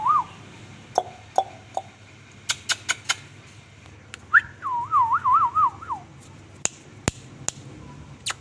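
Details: Rose-ringed parakeet, a talking ringneck parrot, giving a wavering, warbled whistle that rises then wobbles up and down for over a second, preceded by short whistled notes and accompanied by sharp clicks and taps.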